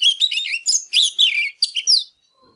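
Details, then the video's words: Rapid, rich Oriental magpie-robin song: a burst of mixed whistled and slightly buzzy notes, rising and falling, in quick succession for two seconds before stopping. "Chòe Than CĂNG LỬA HÓT MÚA"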